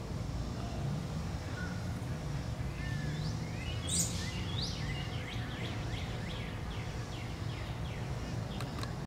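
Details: Male American Robin, father of three eggs in a nearby nest, gives sharp agitated alarm notes after a chase with a Blue Jay in an American Holly, likely defending the nest; Alexandria, VA, July 10, 2019; one loud burst, then fast high chirps, over traffic rumble.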